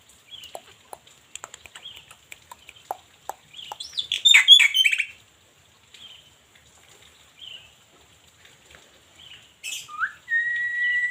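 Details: Black-winged myna singing: scattered sharp chirps and clicks, then a loud burst of harsh chattering and squeaky notes near the middle, then quieter notes and finally a rising and a level whistle.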